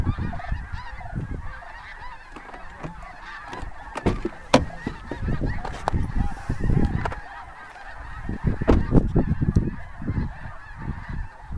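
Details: Large flock of wild snow geese leaving cornfields at Bosque del Apache wildlife preserve before sunset, January 2014; a background carpet of squawking calls partly masked by strong low rumbling wind and handling thumps.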